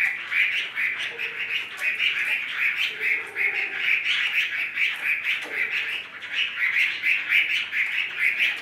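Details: Chinese hwamei, a bird offered for sale, singing a dense, continuous warbling chatter of rapid rolling notes that pulse about twice per second without a break, with faint lower notes beneath and a brief dip near the end.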